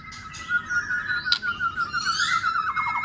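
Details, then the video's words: White-rumped shama in contest song training sings a sustained whistled line with rising and falling inflections, ending in a quick trill of repeated notes, a single sharp click midway. "Kích chòe Lửa lên lửa. chòe Lửa đập tạch liên tục.đập xoay kích lửa hót căng.luyện chòe Lửa hót đấu"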